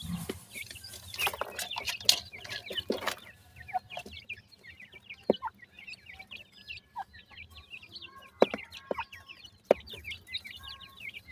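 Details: Grey francolin chicks kept for sale in Multan, Pakistan: a dense chorus of thin, high peeping notes, each a short upslurred or hooked chirp, overlapping from many chicks, with loud handling clatter and bumps in the first three seconds.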